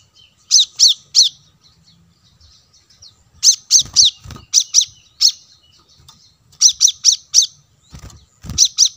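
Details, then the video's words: Plain-throated sunbird, recorded as bait audio for wild birds; bursts of three to five fast, bright, high chirps with soft twittering filler and a few low thumps. "suara pancingan kolibri kelapa"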